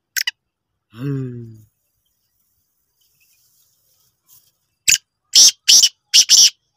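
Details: Black francolin giving a harsh rasping call of four or five loud, noisy, grating notes in quick succession, after a short low buzzy tone with stacked harmonics and a long quiet gap.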